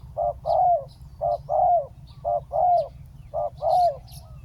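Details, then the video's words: Spotted dove on the ground as a decoy for luring a wild dove, delivering four regular couplets, each a clipped note then a longer sliding coo, roughly one per second, over a quiet low hum. "เสียงนกเขาใหญ่ ต่อ นกเขาใหญ่"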